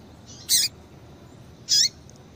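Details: Two high, sharp chirps a little over a second apart, from a female double-collared seedeater calling to stimulate a male.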